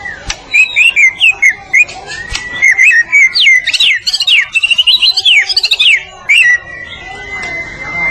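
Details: White-rumped shama, Medan type, in full master song for training birds: rich, tumbling whistled phrases with rapid trills, ending in a long, steady, level whistle.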